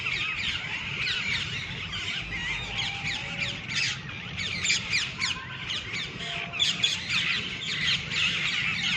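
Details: Several green, red-beaked parrots gathered on a treetop at evening time, a dense flock chorus of rapid, scratchy chirps and screeches overlapping continuously, with a faint low hum beneath.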